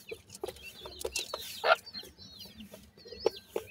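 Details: Feeding teetar (francolin) chicks give sparse, high, drawn-out peeps between dull taps. One loud, broad chirp stands out midway.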